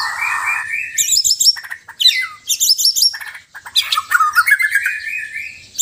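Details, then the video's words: Sabah white-rumped shama from Borneo alternating relaxed and loud song: a low warbled opening, then bursts of high, sharp, ringing whistles and rapid stuttering notes separated by short gaps, ending in a rising fluty run. "Murai batu Sabah: Suara santai & suara keras"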